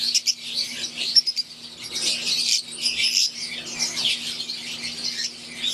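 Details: Aviary of green wild-type Fischer's lovebirds and Euwing lovebirds producing bursts of high, overlapping chirps that rise and fall in waves, a few sharp squeaks at the start, and a low steady hum.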